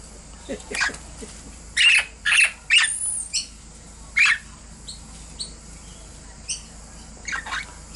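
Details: Young captive Princess parrots, recently fledged and flying in an aviary in December, active at dawn: scattered short harsh squawks and clicks, a cluster of loud rasps near the middle, softer chips after, with faint background hum.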